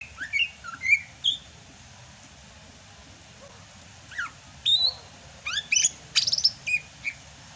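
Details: Greater green leafbird from Sumatra singing vigorously in the rainy season: scattered, bright whistled and slurred notes, some rising and some falling, separated by pauses, with a short burst of sharp chips near the end.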